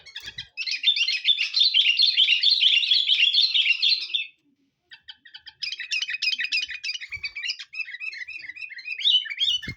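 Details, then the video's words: Sooty-headed bulbul for luring: a long dense torrent of chattering, warbled notes for about four seconds, a brief silence, then more rapid twittering chirps and slurred phrases. "suara burung kutilang pikat gacor"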